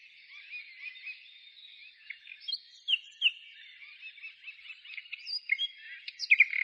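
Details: Birdsong recorded in countryside nature outside a town in spring, 15 May 2017: a busy mix of thin chirps and short whistled notes, growing louder and denser toward the end, with no other clear sounds.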